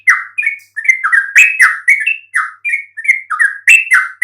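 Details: Yellow-vented bulbul song used to provoke other bulbuls into answering: rapid, liquid, gurgling notes that slur up and down, delivered several per second against a quiet background.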